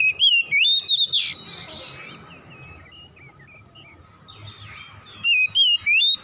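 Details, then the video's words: Oriental magpie-robin song in a therapy recording meant to stimulate a kacer, with loud whistled phrases, a harsh buzzy burst, soft twittering in a quieter middle, then renewed rising whistles. "TERAPI MERANGSANG KACER CEPAT EMOSI GACOR BONGKAR ISIAN"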